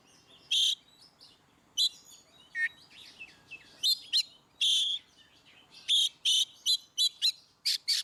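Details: Ngeplong song of an Oriental magpie-robin, a prompt for birds that seldom sing: loud whistled and buzzy phrases separated by short gaps, ending in a quickening series of bright, strident notes.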